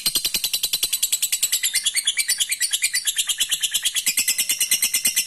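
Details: Long 'ngekek' song of a lovebird, meant to spur rival birds into trilling back: a sustained, fast, unbroken chatter of shrill rasping notes, evenly pulsed throughout with no pause.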